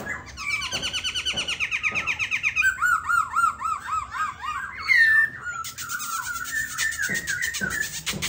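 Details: Caged Silver-eared laughingthrush kept as a songbird in Vietnam, singing a varied phrase: rapid repeated notes, then looping whistled figures around a mid pitch, a brief sharp note, and a dense buzzy-textured stretch; indoor setting.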